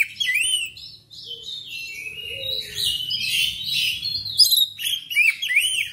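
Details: Black magpie-robin singing, played so pet birds at home join in and sing louder: continuous rich warbling with slurred whistles, arching sweeps and dense chattering notes high in pitch, barely pausing.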